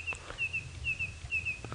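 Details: Korhaan calling during an early-morning July safari drive at 6:30 AM in Sabi Sand, South Africa: thin, high whistled notes in quick pairs, repeated about every half second, over a low rumble of engine and outdoor noise.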